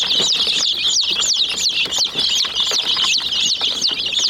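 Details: Chicks of the domestic chicken attack a toy jeep, giving rapid high peeps, several clear down-slurred chirps repeating about every third of a second over a background of crowded chirping and soft pecking taps.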